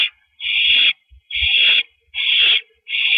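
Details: Owl perched on a porch, April 9, 2012 at 8:17 PM, giving drawn-out harsh screeches of about half a second each, four in three seconds, with soft low thuds between.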